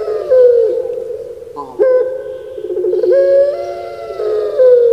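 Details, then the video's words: Kept puter pelung doves of Java, Indonesia, in a series of deep, resonant coos with trilled 'geruk' rolls, each phrase ending in a falling glide. "Puter Pulung Suara Gemanya Bikin Lupa Diri"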